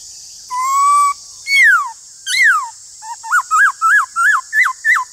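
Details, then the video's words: In a singing duel with another laughingthrush, a Black-throated laughingthrush gives a level whistle and two loud down-slurred notes, then a rapid series of seven bouncy, looping whistled notes, all over a steady background hiss. "Khướu bạc má Hót Đấu với khướu ngoài"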